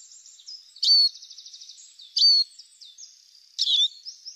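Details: Arabian babbler uttering three high, sharp, slurred calls about 1.4 seconds apart, linked by a faint fast trill.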